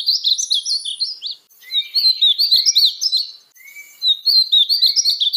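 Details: Painted bunting (Passerina ciris) sings quick, high, jumbled warbling phrases with short gaps; faint lower slurred whistles and thin high ticks sound in the background.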